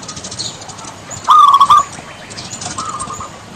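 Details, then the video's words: Javan zebra dove, played as therapy for a bird that rarely sings: one quick phrase of bubbling, even-pitched coos, with faint chirps and a noisy, rustling background. "Suara Terapi Perkutut Malas Bunyi"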